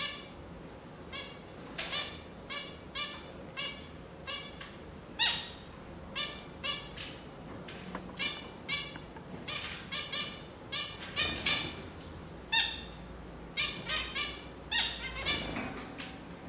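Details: Zebra finch (Taeniopygia guttata), calls.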